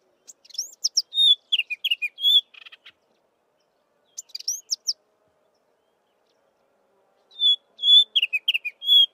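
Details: Melodious song of a chestnut-vented warbler: bursts of high sliding whistles and sharp notes with a brief buzzy chatter, repeated in three phrases separated by pauses.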